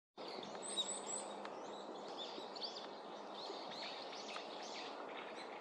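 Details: Brown-eared bulbul calling in December: a string of short, sharp, high chirps and quick downslurred notes that come in irregular bursts over a steady outdoor background hiss.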